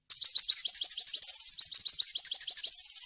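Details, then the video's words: European goldfinch song with varied wild phrasing, described as clear and error-free: a fast, continuous tinkling twitter of high, liquid notes and buzzy trills, several notes per second, with no other sounds. Meant for training young goldfinches and hybrids. "غناء طائر الحسون ، صوت صافي وخالي من الاخطاء"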